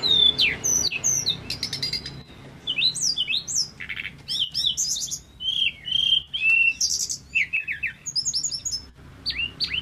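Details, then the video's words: Energetic song from a male Pygmy cupwing: rapid, varied high chirps, rising and falling whistles and buzzy bursts follow one another almost without pause, over a faint low hum. "TERLALU KEREN BURUNG SEKECIL INI KALO SUDAH GACOR...TLEDEKAN GUNUNG JANTAN FULL SENYUM"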